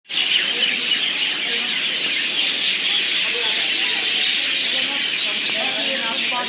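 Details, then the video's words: Myna birds gathered for their night stay at Pathankot Railway station, a large flock producing a dense, continuous wall of overlapping shrill chattering and squeaky calls with no pauses, steady and loud throughout. "Myna Birds night stay"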